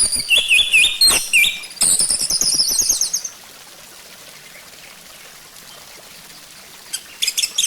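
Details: Orange-headed thrush song played as a lure to prompt singing: dense run of high chattering notes and rapid trills for three seconds, then near silence, with a short burst of chirps near the end.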